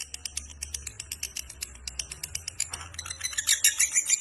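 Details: Fighter-type lovebird in a long, vigorous ngekek chatter. Dry, clicking pulses repeat about three per second, then quicken into a denser, higher rattle near the end.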